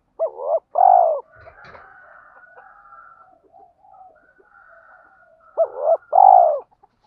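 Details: Spotted dove calling and cooing: two paired phrases of a quick arched hoot and a longer rolling coo, several seconds apart, with faint thin bird calls in between.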